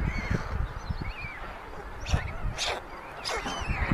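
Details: White stork young in a chimney nest in Ságvár, Hungary, May 22, 2024, during food theft from the youngest chick; a few soft wavering whines sound through heavy low rumbling and breathy noise bursts.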